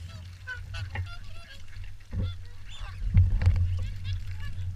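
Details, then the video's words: Morning feed at Caerlaverock, swans giving short harmonic honks and trumpeting notes from a busy group, over a continuous low rumble with occasional thuds and splashy bursts. "Morning Swan Feed"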